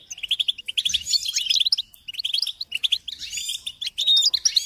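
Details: European goldfinch singing for training chicks: bursts of rapid chirps and tinkling trills come in short runs separated by brief pauses, then a steadier, louder twitter at the close.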